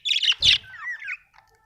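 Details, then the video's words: Happy budgerigar chirping: two quick raspy chirps followed by a longer wavering, slightly descending warble, then quiet. "Happy budgie chirping sound"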